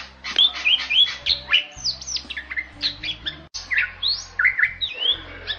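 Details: Bali myna, rare and protected in Bali, delivering a dense run of sharp whistled and squawking notes, many swooping up or down, varied and continuous, with faint low hum beneath.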